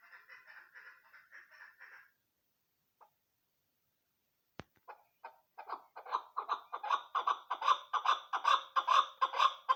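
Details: Female chukar partridge kept as a hunting lure calling: soft buzzy chatter, then silence and a sharp click, followed by a rhythmic series of throaty chuck notes, more than two per second, growing louder toward the end.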